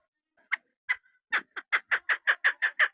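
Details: A female chukar partridge kept for hunting starts with a few hesitant single clucks, then breaks into a quick, regular string of loud chuk notes, roughly three per second.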